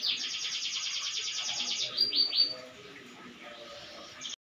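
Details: Canary delivering a rapid high trill for about two seconds, then three sharp rising whistles, after which the song fades to soft murmuring before a brief final chirp.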